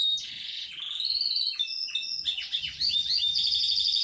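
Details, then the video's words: Sustained rolling trills from a Yorkshire canary, gently rising and falling in pitch, interrupted by a few sharp swooping notes before a loud, even high trill carries on. "Kenari yrokshire ngerol nggulung panjaaaaang banget"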